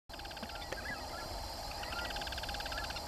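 Yellow-chinned spinetail giving a fast, dry churring rattle of even notes, pausing briefly then resuming, over a steady low rumble of background noise.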